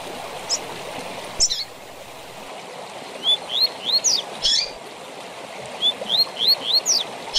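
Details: Double-collared seedeater tui tui zel zel song in fibra style, used to train captive birds: short upslurred whistles at a high pitch in quick runs of three to five, with a steady rushing stream underneath.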